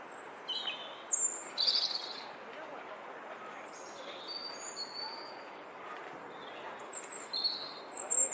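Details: European robin singing in the Flower Walk, answered by a rival a short way down the path; thin, high, sweet whistled phrases come in short bursts separated by pauses, over a steady broadband background hiss.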